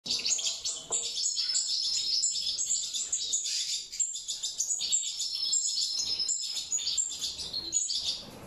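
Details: European goldfinches, mutation birds, breeding naturally: dense, high twittering and tinkling chirps run almost continuously, with several birds seemingly calling over one another.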